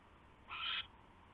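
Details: Owl at the nest around 12:43 AM on 27 January 2016 as a huge rat is brought in; a single harsh, hissing screech lasting about a third of a second over low hum.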